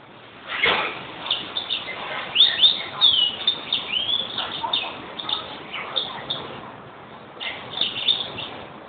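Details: European greenfinch in a sustained twittering song: many quick high chirps, slurred whistles and short trills run together over several seconds, with a sharp click near the start and a faint hiss throughout.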